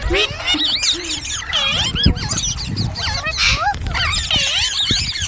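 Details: Ringneck parrot making funny sounds: wavering, zigzag whistles and looping slurs pour out in near-continuous chatter, with a short hissy burst midway and faint thumps below.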